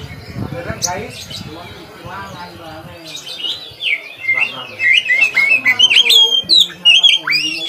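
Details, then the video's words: Kacer, the Oriental magpie-robin, in full song as training material for other kacer birds; low muffled sounds at first, then a fast stream of sweet whistled notes and trills rising and falling, loud and continuous. "kacer gacor buat masteran kacer"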